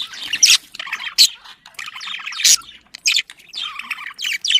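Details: Budgerigar mating call used to stimulate breeding: scratchy squawked phrases and sharp chirps in uneven bursts, roughly every second, with quick downward-sweeping notes.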